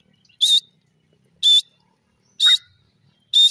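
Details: Grey francolin calling: four loud, harsh, high notes come about one per second, evenly spaced, with silence between them.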